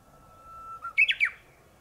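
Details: Japanese bush warbler singing from the top of a tall tree on a morning, instead of its usual low shrub branch: a long, steady, low whistled note, then a brisk flourish of higher, sliding, warbled notes.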